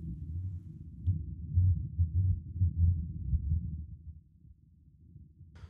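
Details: A displaying male Dusky Grouse in Colorado in spring, air sacs puffed showing purplish colour, gives a run of very deep, soft hoots, six or so muffled booms over about three seconds, to attract a mate, then quiet with a brief rustle.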